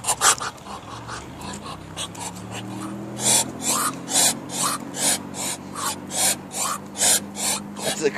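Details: A mad duck unable to quack, hissing as it chases the person filming: rhythmic, harsh, breathy rasps about twice a second, over a low droning hum.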